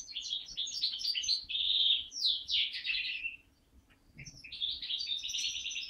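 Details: Captive-bred hybrid mule of linnet and Waterslager canary, raised in 2012, singing a rapid twittering song of mixed trills and buzzy warbled phrases, with a short pause midway before the chatter resumes.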